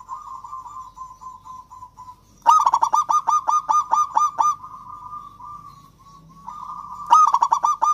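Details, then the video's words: Local zebra dove song, used as a lure to stir lazy or silent doves into singing: after a steady buzzy trill, a loud burst of about eight rhythmic cooing notes runs, then the trill resumes and another burst begins near the end. "perkutut lokal gacor kutut lokal gacor ampuh untuk pancingan kutut malas bunyi dan macet"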